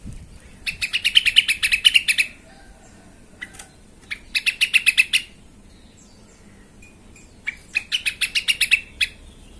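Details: Yellow-vented bulbul agitated song used as a lure to provoke other bulbuls into singing; three bursts of rapid, chattering, bubbly notes, each lasting about two seconds, separated by quiet gaps.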